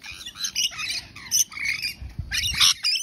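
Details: Rainbow lorikeets in a group, giving harsh, screechy squawks and shrill chattering notes in uneven bursts, overlapping one another, with a short quieter gap in the middle.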